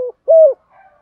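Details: Low, smooth drawn-out coo from a spotted dove kept as a decoy to draw wild doves, preceded by the tail of a short note and followed by faint softer sounds.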